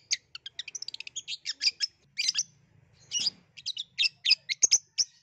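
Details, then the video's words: A long-tailed shrike's lively song for coaxing a silent shrike to sing: an accelerating burst of quick bright chips, then varied squeaky and harsh notes with a brief buzzy chatter midway, loud and close. "SUARA CENDET UNIK GACOR COCOK BUAT PANCINGAN CENDET MALAS BUNYI"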